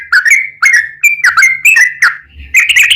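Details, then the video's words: Yellow-vented bulbul warbling liquid notes in steady succession, ending with a short, higher-pitched flourish; song used as a lure to get other bulbuls singing. "trucukan gacor ROPEL PANJANG buat pancingan trucukan agar bunyi"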